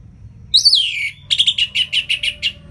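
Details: Master recording of an orange-headed thrush in ngeplong song style to get lazy birds singing: a rising-then-falling whistled slur followed by seven crisp, evenly spaced ringing notes.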